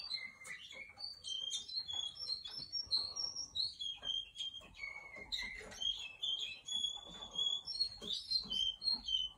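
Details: Russian canary singing continuously: bursts of quick chirped notes alternating with rolling trills and held whistles, phrases changing every second or two, faint room echo behind.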